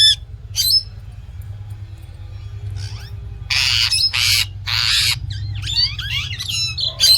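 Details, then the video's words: Indian ringneck parrot producing scattered squeaks and then loud harsh screeches, followed by twisting chattery notes. A low hum runs through the whole clip. "Indian Ringneck Parrot Original Voice | Real Talking Sound"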